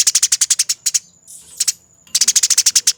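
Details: Eurasian tree sparrows in a fighting bout, recorded as master material for training songbirds: fast trains of sharp, high chirps rattling out in dense bursts, a short pause with a few scattered notes, then another rapid run; a faint steady high whine underneath.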